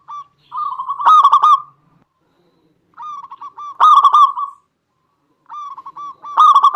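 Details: Singing local zebra dove, used to provoke other doves. Three phrases each begin with soft rolling coos that build into a loud, rasping stuttered burst. The phrases are spaced about two and a half seconds apart.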